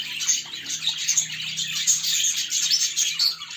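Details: Budgerigars kept as pets, tending and cleaning their nests: a busy stream of thin, high chirps and squeaky warbling notes, rising and falling in loudness, with a faint low hum beneath.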